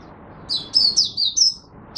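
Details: Oriental white-eye kept as a song bird in Singapore, recorded on a warm, humid, rainy overcast day in March 2023: a few high, sweet, slurred twittering notes in quick succession over a soft low background rumble.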